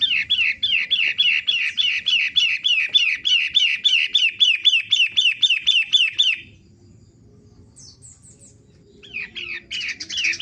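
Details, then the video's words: Long-tailed shrike singing energetically, pouring out a rapid string of some two dozen identical downslurred chirps in about six seconds, falling silent, then starting a fresh burst. "suara asli PENTET matahari gacor"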